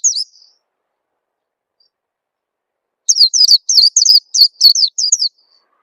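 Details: Lure call of an Oriental white-eye meant to prompt other birds into singing: one brief chirp, then a long silence, then a quick string of about nine high, sharp, downslurred chirps.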